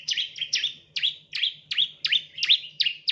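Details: Bar-winged prinia used as a lure for training birds: about nine loud, separate chirps, each a sharp downward dip that swings back up, spaced roughly every third of a second, over a faint low hum.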